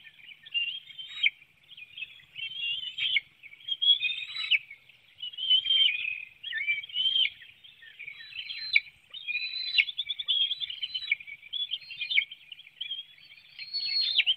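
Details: Bald eagles at a nest in Hanover, Pennsylvania, on 9 June 2019 at 7:04 a.m., an adult delivering a small fish and feeding one young while another hops and flaps; continuous high, squeaky chittering in rapid bursts throughout, picked up by a nest webcam.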